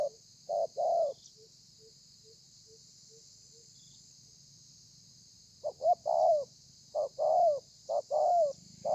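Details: Spotted dove cooing in the thổ pha style, 30 November 2020. Two opening coos, a run of soft clicking taps, a quiet gap, then four short-and-long coo pairs with downslurred endings. A constant high hiss underneath.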